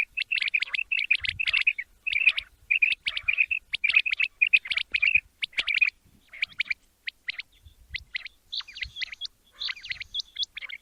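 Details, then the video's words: Quail (batair), described as a male, recorded for morning hunting. Repeated bright chirps run in tight clusters for several seconds, then thin out into sparse sharp notes and high squeaks. "Amazing batair ka kartab daiken | latest chukion wali awaz subha k liye"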